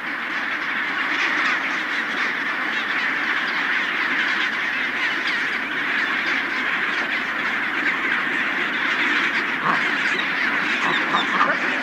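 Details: A huge chinstrap penguin colony on Deception Island, Antarctic Peninsula, where birds return to stone-ring nests: steady, crowded din of many raucous, nasal squawks and brays layered over one another, with a few sharper calls standing out near the end.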